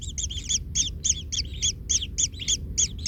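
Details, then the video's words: Nestling kingfisher in a nest, trampled by its parent and hurting, calling in a steady stream of thin, high two-toned chirps, about three to four each second, at times overlapping; faint low hum underneath. "Anak Tengkek Terinjak Induknya Hingga Kesakitan - Baby Kingfisher bird nest"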